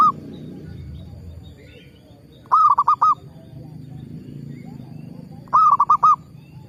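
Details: Zebra dove used as a lure: a clear cooing phrase of four to five quick, even notes, heard twice about three seconds apart against low background noise.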